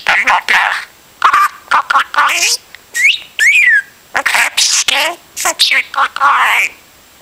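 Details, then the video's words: Domestic budgerigar rattling on like a broken record or radio: continuous fast chatter mixing whistled slides, rising squeaks and gritty buzzes with barely a pause. "Broken Record Birdy - Pedro the Budgie"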